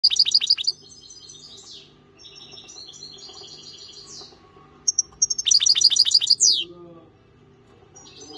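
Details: European goldfinch of the parva subspecies singing: bright, rapid tinkling trills and twitters high in pitch, delivered in bursts with a buzzy descending slur at the end of phrases, and a quieter twittering passage between them.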